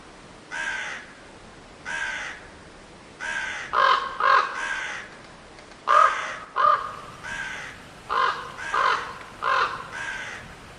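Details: Hoarse crow caws, several single calls, then caws coming mostly in quick pairs, the paired calls louder and sharper.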